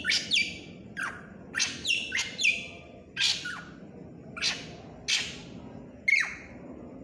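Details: Lively black drongo song of loud grating chips and falling squawky notes, delivered in uneven clusters with short pauses between them.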